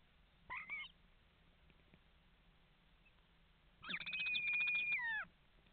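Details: Common starlings at a nest box in Estonia, picked up by a nest-box camera at 7:42 on 11 May 2019: a short twisting chirp, a pause, then a long, steady, buzzy whistle with harmonics that slides downward at the end.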